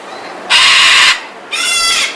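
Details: Scarlet macaw from a group of birds: two loud, harsh, raspy screams, each lasting about half a second, the second with a more tonal, banded quality, over a quiet background.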